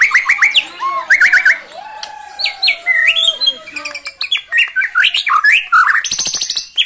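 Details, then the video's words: White-rumped shama in captivity, singing in strong form and unloading its song material with fill-ins. A fast, rich medley of whistles, trills, chattering bursts and slurred notes follows with hardly a break. "Murai GACOR bongkar MATERI * isian BRANTAKAN"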